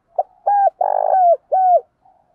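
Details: Spotted dove calling, part of male and female calls used to stimulate and train doves: a brief soft lead note, then three low mellow coos. The long middle coo is slightly buzzy, and a faint final note follows in silence.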